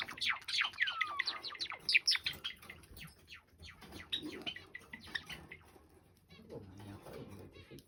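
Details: Two male pet Java sparrows hopping and dancing side by side while singing; quick bell-like chirps and a falling whistle open the passage, then the notes thin out into softer clicks and faint rustling.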